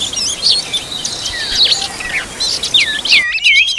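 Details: Oriental magpie-robin feeding its young: a quick run of varied high whistled notes, some sharply rising and others falling, with short chirps between, over steady low background hiss.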